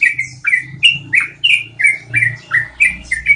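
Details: Long rolling song of a yellow-vented bulbul for cage-bird training: quick chain of liquid, downslurred notes, roughly three each second, over a faint low hum in the background.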